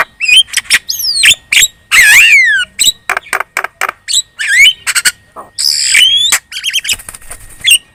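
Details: Javan myna lure song meant to make other birds respond: a dense, chatty medley of rasping squawks, downslurred and upslurred whistles and rapid clicks, nearly continuous with short gaps.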